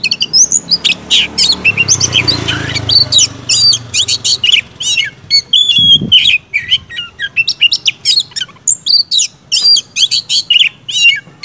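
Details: Kacer, the Oriental magpie-robin, singing nonstop in energetic 'gacor' style to provoke others: dense rapid chattering notes mixed with sharp whistles and trills, a low rumbling noise early on and a single dull thump midway.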